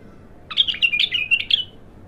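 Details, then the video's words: A raw bulbul in its first opening of song delivers a quick burst of clear, slurred whistled notes, about ten in a row, tumbling and jumpy in pitch, lasting roughly a second before silence. "تغريد الابتر خام اول فتحـه له"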